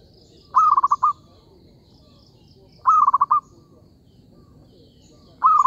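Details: Zebra dove lure call for trapping: repeated trilled cooing phrases, a sustained first note then a burst of rapid soft beats, coming about every two and a half seconds against light background chirps.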